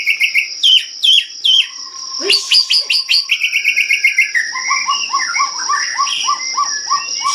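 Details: White-rumped shama from Medan singing energetically: repeated descending whistles, a mix of harsh and clear notes, a long rolling trill, then a rapid series of short upslurred notes, with a constant shrill whine behind.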